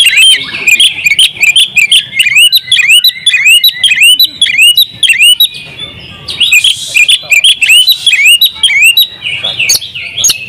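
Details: Champion oriental magpie-robin, a training recording singing with an open beak in a full, lively fill-in style. Rapid series of upswept whistled notes, roughly two per second, with occasional harsher bursts and a brief gap in the middle.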